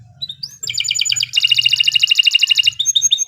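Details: Canary (Kenari Nusantara) singing steadily, used to prompt young birds to sing: a few rising whistles open into two dense, rapid, rattling trills, followed by short high whistled notes.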